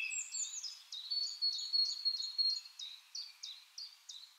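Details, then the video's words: Song thrush song against a steady background hiss: a quick run of high, clipped, repeated notes, each dropping in pitch, given about three per second and slowly fading. "Song Thrush Bird Sound, 1Hour Bird Song"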